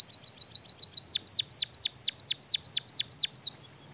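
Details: Energetic canary-style song by a white-headed munia: quick, high, twittering chirps give way to a long, regular series of loud, downward-slurred whistles, about three per second, before the phrase stops.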